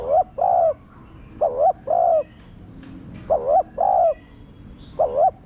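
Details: Coos of a spotted dove for rousing captive doves to call: repeated pairs of mellow low notes, a brief wavering coo then a sustained one, four phrases with soft background chirping.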